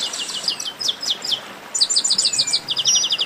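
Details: In this 'baderna' chorus, chestnut-capped blackbirds pour out continuous, rapid high chirps in stuttering series. A long descending whistle runs beneath the dense twittering.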